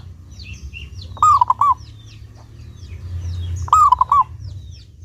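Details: Perkutut, a local zebra dove with a clear voice, sung as a lure to encourage other doves: two ringing coo phrases, each a rising note then two short hoots, with faint twittering small birds behind.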